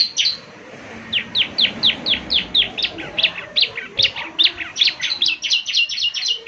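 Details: Lively 'gacor' ciblek semi, meant for morning playback so other birds answer: a steady series of bright, high, falling chirps, about two to three per second, running through without pause over faint background.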